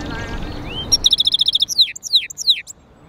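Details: A goldfinch × canary hybrid sings a rising whistle, then a rapid bright trill of about nine even notes followed by four separate high downslurred notes, against quiet background hiss.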